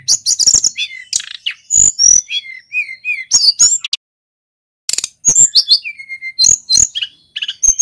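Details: Pacitan male mountain white-eye singing continuously in rolling style, showing off its full range: rapid high chirps, ringing whistles and rattling bursts. A brief silence interrupts it, then a quick varied twittering flow returns.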